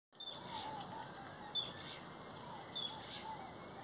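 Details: Social flycatcher (Myiozetetes similis) giving two brief, harsh, sharp notes a little over a second apart, over a steady high buzzing drone and a low background rumble.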